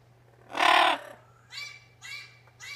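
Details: Male Double Yellow-headed Amazon parrot, kept indoors, reacting to footage of himself: one loud harsh broadband squawk, then three softer, repeated harmonic calls, over a steady low electrical hum.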